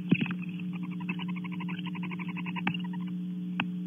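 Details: Barn owls at a nest box, Audubon Starr Ranch, California: female returns, then male, followed by chirpling, a quick chittering run of bright chirps about ten a second, over a steady low electrical hum with a few sharp knocks.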